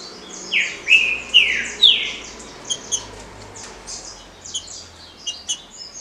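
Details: Green-winged saltator, Paraná liso batido song style: three loud descending whistled phrases about half a second apart, then only faint high chirps and background twitter.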